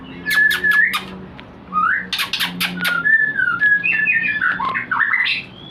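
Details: White-rumped shama song used to stimulate breeding: varied mid-pitched whistled notes rising and falling in quick succession, interspersed with sharp clicking bursts, over a faint low hum.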